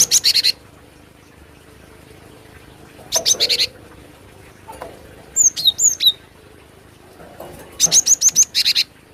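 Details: Cinereous tit recorded as a trapping lure, giving three bursts of fast, chattering high notes, each about half a second long, spaced a few seconds apart. Between them come a few thin, high, down-slurred whistles.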